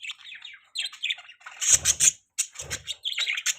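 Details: Budgies chirping with soft warbles, then a run of sharp, rapid high tweets, some accompanied by low thumps, followed by more squeaky chatter.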